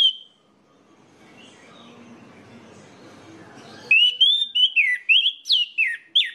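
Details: Orange-headed thrush singing, a recording meant to lure others of its kind into song: one clear whistle, a hushed stretch of low hum, then loud slurred whistles rising and falling in quick succession, roughly three per second.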